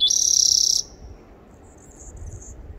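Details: Spotted towhee recorded 30 April 2021: a loud rattling buzzy trill fills the first moment, then stops abruptly, leaving faint high chirps of other birds and a low rumble.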